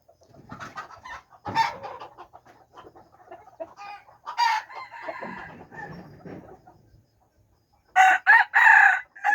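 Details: Red junglefowl recorded 13 September 2021: scattered rustling, clucks and knocks, then a loud crow of three sharp bursts near the end.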